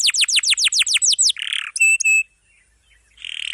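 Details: Canary tutor recording with long rolls for young or silent canaries: about ten quick descending sweeps, a buzzy burst, two ringing stacked notes, a short silence and another buzzy trill.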